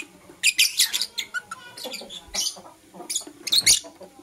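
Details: Morning chatter from Blue Opaline and Parblue Euwing Opaline lovebirds: dense, overlapping high scratchy chirps and squeaks in quick uneven runs, interspersed with brief thin twitters and short pauses.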